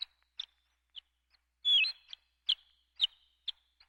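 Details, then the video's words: Horned lark song: thin, high chips about half a second apart, broken once by a brief tinkling, sputtering jumble, over a quiet background. "Horned Lark bird sound effects"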